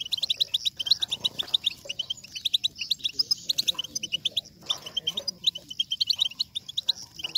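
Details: European goldfinch song played to stimulate singing and mating: rapid twittering of short high notes, dense and repeated, with trills and buzzy chirps, possibly more than one bird, faint low background rumble.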